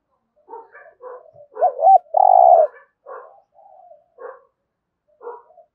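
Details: Decoy spotted dove, a caged lure bird for attracting wild doves, giving soft, muffled gù notes in short bursts that build to one loud phrase: a hooked double coo, then a long, steady, buzzy coo, followed by further quiet murmurs.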